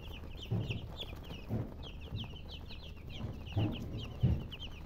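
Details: Young chickens peep in a steady chorus of short, high, falling notes, interrupted by several dull low thumps and bumps spaced about a second apart.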